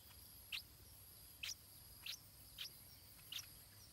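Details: Nestling stripe-throated bulbul being fed by its parents: short, sharp, high squeaky chirps, each rising slightly, given five times at intervals under a second over a faint steady hiss.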